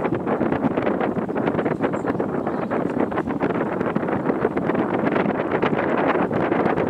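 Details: Loud gusty wind buffets the microphone in rapid rumbling pulses throughout, with no animal calls.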